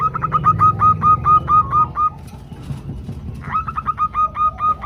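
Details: Zebra dove females calling males, gathered in a group and used as a lure for singing: two runs of rapid, ringing whistled notes with a short gap between, over a steady low hum.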